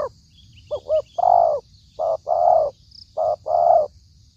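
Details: Spotted dove cooing, used as a lure for trapping: short paired hoots followed by a longer, rich, mellow coo, repeated in three phrases about a second apart. Faint high chirps from other birds sound in the background.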